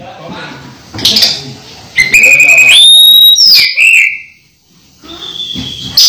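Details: Orange-headed thrush near its moult still in full voice, holding a long steady whistle that steps higher, then a falling note, a pause and a softer high whistle, with faint low background noise.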